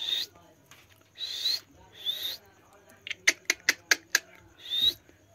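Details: Village parrot from India swinging on a swing: three buzzy rasping screeches about a second apart, then six rapid sharp clicking notes and one more screech.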